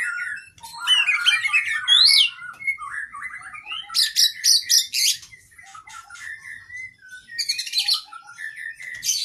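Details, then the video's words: Kacer (oriental magpie-robin) training song from a cage bird: tumbling whistled phrases at first, then loud rasping high bursts and chattering trills, with varied fill notes throughout. "Masteran Burung kacer Gacor isian Panjang"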